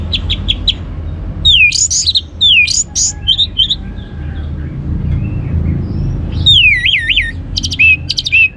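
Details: Orange-headed thrush song meant to coax other birds into singing: bright, pure whistled phrases, some looping and warbling, separated by rapid chip bursts and brief pauses, with low rumbling background noise.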